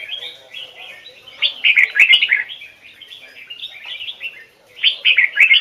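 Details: Standard-voice song of a red-whiskered bulbul in the Hoài Sơn forest double-note style, for training birds: a loud cascade of rich warbled notes, a stretch of softer chirping, then another strong burst.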